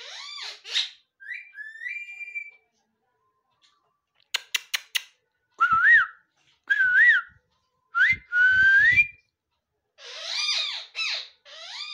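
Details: Pet ringneck (rose-ringed) parakeet giving a string of whistled and chattering sounds: rising and falling whistles, a wavering mid-pitched warble repeated several times, brief clicking taps near the middle, and harsher broadband notes at the end.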